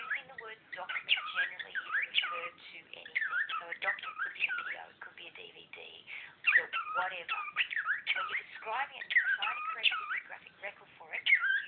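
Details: Pet cockatiel talking over a lecture in a small room; long unbroken run of looping whistles, rapid chatter and squeaky notes, with faint human speech underneath.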